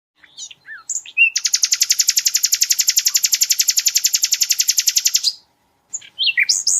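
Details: Flycatcher, locally called sikatan londo, in a tutor recording for training songbirds, with powerful rapid bursts: a few short rising notes, then a dense buzzy trill of about forty pulses over four seconds, followed by more high chirps.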